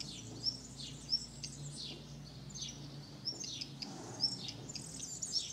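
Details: Tree pipit that nested on a terrace in summer 2016 and successfully raised four young; high, sharp downward-sweeping notes come in loose clusters, with a faint constant low hum beneath.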